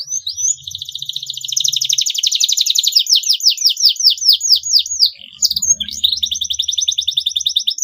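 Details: Canary gacor song played to young birds learning to sing: a sustained fast trill turning into looping downswept notes, a short pause, then another rapid rattling trill, with a faint low hum.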